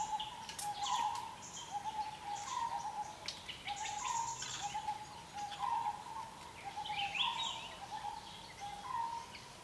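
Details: Asian barred owlet giving a series of brief mid-pitched hoots, some rising at the end, spaced unevenly across the recording, with a persistent cricket buzz and occasional sharp bird chirps behind.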